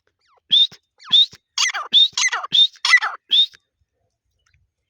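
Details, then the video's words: Grey partridge (teetar) giving repeated squeaky calls, each rising whistled note alternating with harsher, scratchy notes, about two per second. "teetar ki awaz | teetar sounds"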